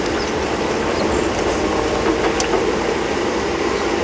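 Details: Steady broadband engine rumble from a vehicle during an afternoon safari drive at Djuma Game Reserve on March 10, 2016, with no clear animal calls.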